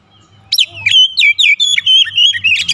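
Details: Lure song of a white-rumped shama used to provoke a response from other birds: after a brief quiet start, a rich warbling run of slurred whistles and rising and falling notes.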